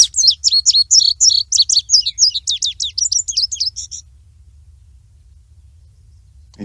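An Indigo Bunting sings a bright, fast run of high sweet notes, mostly paired, lasting about four seconds before stopping; faint low hum underneath.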